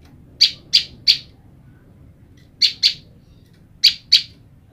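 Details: Separated from her mate, a female olive-backed tailorbird calls to the male with crisp, high chip notes: one burst of three, then two pairs, each group about a second and a half apart.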